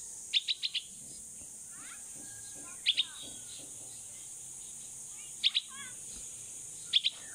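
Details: Fledgling bulbul aged 16 days, saved from a cat and kept until it can fly high, calling its mother outdoors: a fast burst of four shrill chirps, then three tight pairs of high notes spaced about two seconds apart.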